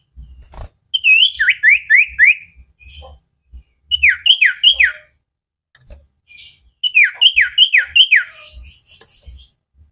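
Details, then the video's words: Common iora training song for cage birds: three bursts of rapid V-shaped whistled notes, four or five per burst, separated by short pauses, with soft low knocks in the background. "Burung cipow sirtu masteran Gacorrr banget"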